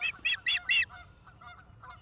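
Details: Osprey calling at its nest in Charlo, Montana, 11 September 2023, 16:04, on a live camera: four loud, high whistled chirps in a fast run, then quieter lower calls from other birds.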